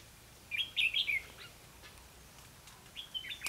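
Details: Red-whiskered bulbul used as a lure bird in trapping, recorded 4 November 2016: a quick tumbling burst of sweet, bright warbled notes, then a pause and a shorter whistled phrase near the end, over faint background hiss.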